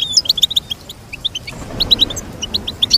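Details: Goldfinch song offered for training a pet goldfinch to sing: rapid runs of short, bright, high chirps and twitters, bursting in two phrases separated by a brief pause.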